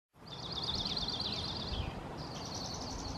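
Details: An Oregon-type Dark-eyed Junco (Junco hyemalis) sings two fast, high, musical trills of rapidly repeated notes with a short pause between them, over a steady low rumble of background noise.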